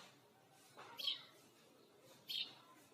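Sparrow giving two short, bright chirps about a second apart, high-pitched and clipped, over a faint background hiss.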